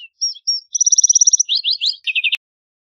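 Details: Song of a lark sparrow: a few clear high notes, a fast even trill, then quick down-slurred notes and a lower rattling trill, ending with a sharp click.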